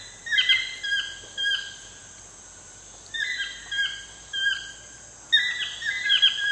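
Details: Toucan in Costa Rica at sunset: pairs and triplets of short, downslurred yelps, gaps of one to two seconds between groups, and a constant insect whine above.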